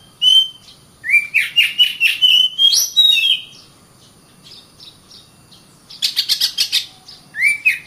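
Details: Oriental magpie-robin, known locally as kacer, singing: clear whistled notes sliding up and down mixed with rapid buzzy chattering bursts, a pause, then another fast chattering burst and a rising whistle.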